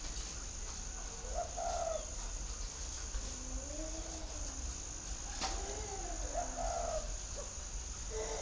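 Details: Spotted dove cooing: several soft, low, hooting phrases that rise and fall, some with a brighter overtone. A steady high insect whine runs throughout, over a low background rumble.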